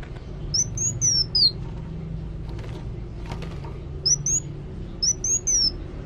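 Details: Sunbird singing actively: a few thin, very high whistled phrases gliding downward, separated by long gaps over a steady low rumble of background noise.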